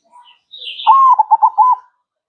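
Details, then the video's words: Zebra dove singing one phrase: a soft lead-in note, then a run of low cooing notes with a slightly rising, bubbling rhythm, ending in a held coo. "MASTERAN HANDAL PERKUTUT MANGGUNG GACOR"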